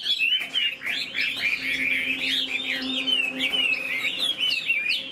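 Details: Chinese hwamei kept as a cage bird, tail fanned and wings flicking as it sings: a rapid, continuous string of bright, looping whistled phrases, steady and strong throughout, with a low hum underneath.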